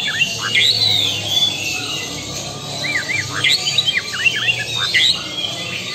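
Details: Lampung white-rumped shama singing crisp, high chirps and downslurred whistles in short irregular bursts, over a constant hissing background.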